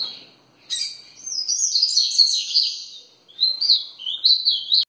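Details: Double-collared seedeater, called papa-capim, delivering ferradura-style song: a dense high warbling phrase, a brief pause, then three short clear slurred notes, each rising and falling.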